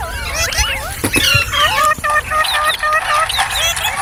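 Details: Green parrot, a ringneck kept as a talking pet bird, giving squeaky whistled chirps that rise and fall quickly in dense irregular bursts, with some harsher squeals and a low background rumble.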